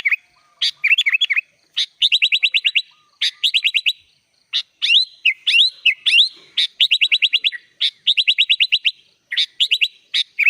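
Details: Lively sooty-headed bulbul song with rich varied phrasing, meant as a tutor recording: short rising whistles alternating with quick stuttering trill bursts, groups repeated roughly every second or two, clean background.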